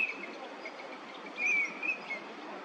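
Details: Eurasian teal (Anas crecca), a wintering duck at a park pond in Chiba, Japan, in February, giving short, high whistled 'krik' notes, one near the start and a few in a quick cluster later, over a steady background hiss.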